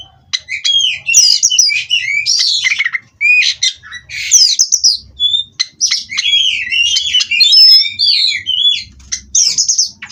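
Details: Oriental magpie-robin (kacer), captive-bred, in a recording meant as therapy to keep the bird steady on its perch: energetic run of quick whistled slurs, chattering twitters and harsh rasping phrases with brief pauses.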